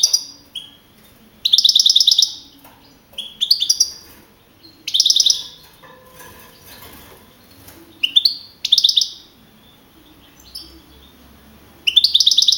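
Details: Contest-winning young European goldfinch from Navalcarnero, Madrid region, April 2012, delivers bursts of bright chirping song. Each burst holds tinkling notes and quick trills, and they are separated by silent gaps of one to three seconds.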